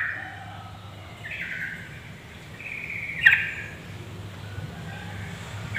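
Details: Yellow-vented bulbul female calling to prompt males to sing, giving two brief scratchy, buzzy chatter notes a couple of seconds apart, the second with a sharp click, above a low steady hum.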